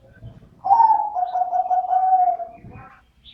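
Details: Middle-voice dove cooing: a single clear phrase of rapid pulsed notes that starts higher and settles into a steady, slightly descending tone for about two seconds, with soft low thumps around it.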